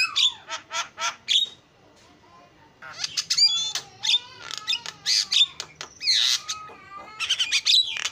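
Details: Javan myna in full, vigorous song: bursts of harsh rasping notes mixed with clear whistled slurs and rising sweeps, broken by a short pause midway.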